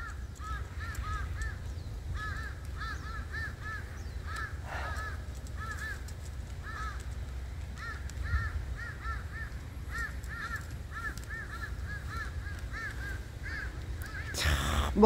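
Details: A flock of crows under a persimmon tree on a cold day while cats eat: repeated short arched caws in rapid runs of three to five, overlapping from several birds, over low steady background rumble and a loud knock at the end.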